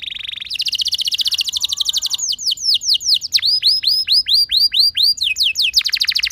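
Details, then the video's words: Canary song played as a lure to set other canaries singing: a long, varied song opening with a fast buzzy trill, then rapid repeated chips and a run of clear, downward-sweeping whistled notes, ending in another quick trill. "Cukup Putar Sebentar Saja Burung Kenari Lain Bakal Langsung Ikut Gacor Ngerol Mewah Dengan Pancingan"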